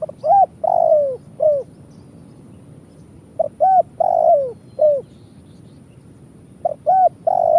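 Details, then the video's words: Trapping-lure coo of a Spotted dove (tekukur), 'kuk 1' pattern: three phrases, each a pair of short rising-falling notes, a long downslurred coo, and a closing short note. "Suara Burung Tekukur kuk 1"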